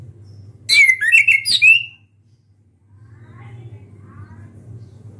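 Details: Orange-headed thrush delivering a loud open-beaked burst: several quick whistled notes packed into about a second, wavering and dipping, then silence apart from a soft low hum and faint distant chirps.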